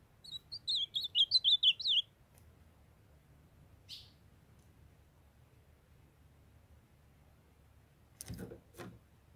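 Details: Captive ultramarine grosbeak pair, a female calling to bring a young male into condition while he sings: one fast warbled phrase of about ten high slurred notes lasting two seconds, then silence broken by a soft buzz and cage clicks.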